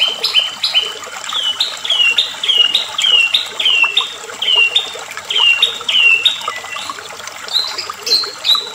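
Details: White-rumped shama singing in an agitated state: a string of clear whistled notes, each dropping in pitch, repeated about twice a second in a steady series, ending in higher notes, over a soft rushing hiss.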